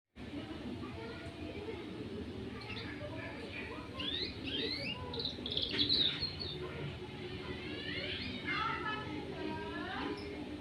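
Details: Two-month-old canary learning to sing: loose, rambling twitter of rising and falling whistled slurs and chirps, gaining strength around the middle and ending in fast downward-sweeping trills, with low room hum beneath.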